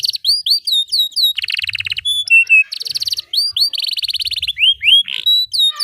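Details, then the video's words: Long, varied canary song used to tutor young birds: hooked whistled notes alternate with dense buzzy rolls and repeated chirps, delivered continuously at high pitch with occasional faint low thumps. "Kenari GACOR PANJANG Cocok utk Terapi Kenari Macet, Masteran Kenari Paud Belajar Bunyi"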